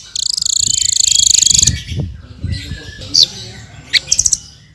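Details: Hanging parrot (srindit) in full gacor song, used for tutoring cage birds: a sustained, evenly pulsed high buzzy trill of about one and a half seconds, then isolated sharp squeaks and a brief pip cluster.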